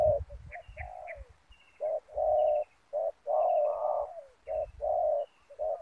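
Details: Spotted dove used as a decoy to lure wild doves on the ground near a snare net: low hollow coos in rhythmic phrases of short and drawn-out notes, with faint higher chirps from other birds.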